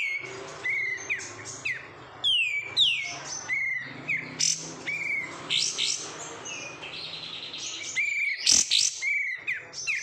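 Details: Caged oriental white-eye (kapas tembak), kept and trained from a wild-caught bird, sings a rapid high-pitched medley: repeated downslurred whistles, thin chirps and twittering, almost continuous for ten seconds with brief pauses.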